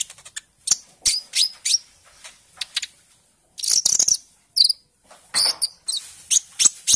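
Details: Olive-backed sunbird, young bird moulting from juvenile into early green-speckled plumage, played as a lure to encourage singing: buzzy scratchy high bursts and thin squeaks, with a dense chattering burst near the middle.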